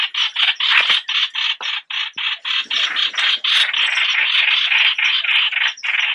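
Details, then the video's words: A white-eye gives a lure call: rapid, scratchy, high chattering notes, about three or four each second, in a steady unbroken run. "Tiếng chim trao trảo mồi"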